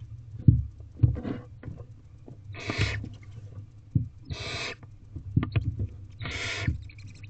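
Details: Owlets of the Barn owl in nest box C beg while being fed on 18 April 2023, 8:05 pm, the oldest two trying to eat directly; three drawn-out noisy screeches with knocking and rustling between.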